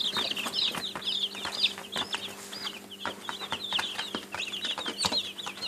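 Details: Several baby chicks cheep nonstop, bright high chirps tumbling over one another in a dense twittering stream, dotted with sharp little clicks like pecking and a quiet electrical hum in the background.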